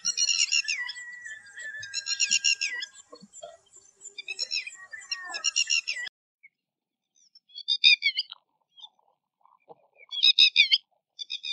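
Loud, shrill, ringing cries from a Red-wattled Lapwing, coming in harsh bursts about every two seconds, with a thin level whistle beneath the first few.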